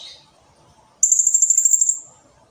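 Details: One shrill, rapidly pulsed high trill about one second long from a blue-crowned hanging parrot, steady in pitch with a fading tail, after a faint brief chirp at the start.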